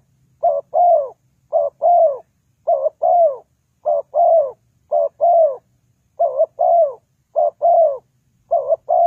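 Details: Spotted dove call used as a lure in trapping: eight quick paired coos in a row, short hooked note then longer descending one, repeating roughly every second with brief gaps, background silent.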